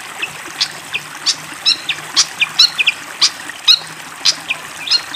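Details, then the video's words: Fantail flycatcher singing actively: sharp high chirps and short whistled notes repeated about every half second, with a faint low hum and soft water in the background. "SUARA BURUNG SIKATAN KIPASS GACOR DENGAN SUARA AIR MENGALIR"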